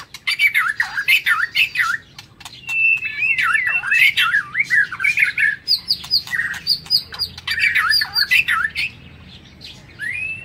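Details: A caged White-rumped shama singing in the morning: a rich, fast stream of varied whistles mixed with harsh, scratchy notes, in bursts with brief pauses.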